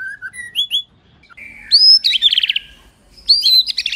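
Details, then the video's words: Female white-rumped shama song, meant to fire up males into singing: brief whistled notes, a rising high whistle, then rapid buzzy trilled bursts repeated twice, clean and close. "Tiếng Chòe Lửa Mái kích trống căng lửa/ bổi nghe là hót ngay"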